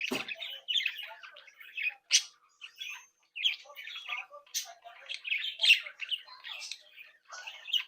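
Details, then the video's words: Captive breeding group of Australian budgerigars, happily chattering, tweeting and singing while playing and interacting: dense overlapping warbles, squawks and bright chirps, with short pauses between busy bursts. "Sonidos de Mi Cría de periquitos Australianos"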